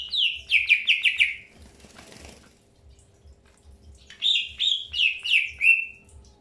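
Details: Early pairing of greater green leafbirds, with a burst of rapid, descending chirps, a quiet gap with a soft rustle, then another run of bright, slurred whistles repeated about three per second.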